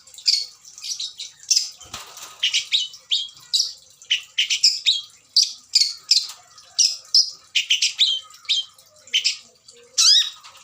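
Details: Adult Long-tailed Shrike with a song full of fill-in imitations, suited for captive breeding: quick varied chirps, rasps and whistles tumble almost nonstop, with a sharp thump near two seconds.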